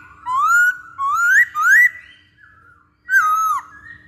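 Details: Masked laughingthrush singing for bird training: three rising fluty whistles in quick succession, a pause, then a descending slurred whistle, over a faint steady hum.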